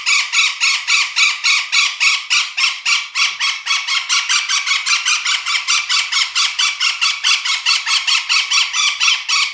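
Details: Golden parakeet giving a continuous stream of loud, harsh, grating squawks, rapidly repeated at a fairly even pace for nearly ten seconds, with no other sounds noticeable.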